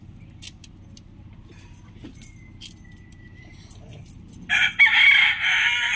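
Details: Rooster crowing from a compilation of roosters: after quiet bird chirps and a long thin whistle, a loud rasping crow bursts in and holds to the end, dropping slightly in the middle.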